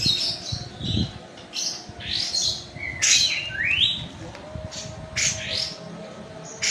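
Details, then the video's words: White-eye known locally as kapas tembak, from Medan, singing energetically in a rolling 'ngeroll' style. Quick high chirps and rising slurred whistles come in dense bursts, with faint low hum beneath. "KAPAS TEMBAK MEDAN GACOR ISIAN SUARA PEDAS NGEROLL SPEED NEMBAK EDAN LEPAS TROTOL"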